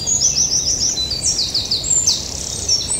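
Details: A Yellowhammer in the Eifel sings a fast run of about six high, thin, repeated notes, then higher sweeping phrases over faint background hiss.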